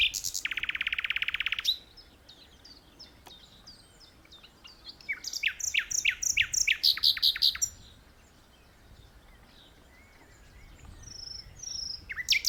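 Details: Common nightingale singing from an open perch in a tree rather than low in dense bushes; powerful song with a long rapid buzzy rattle, then a run of loud repeated whistled notes sweeping down, a pause, and a fresh phrase starting.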